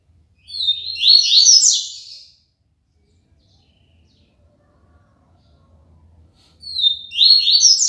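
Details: ['Papa-capim, a double-collared seedeater kept in Aracaju, Brazil, delivering its tui-tui limpo song. A high, sharp phrase of quick rising buzzy notes is followed by a long pause, then the phrase begins again at the end.']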